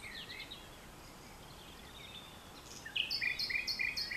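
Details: At dusk in vegetation bordering French farmland, 22 April 2020, a common nightingale is quiet at first, then bursts into a rapid run of repeated sharp two-part notes, roughly three per second.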